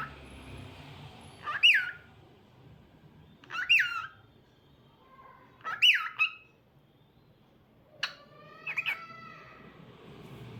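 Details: Pet cockatiel singing indoors: a repeated whistled phrase, a sharp rising-then-falling note about every two seconds, three times, followed by a harsher, more complex squawky phrase with stacked tones.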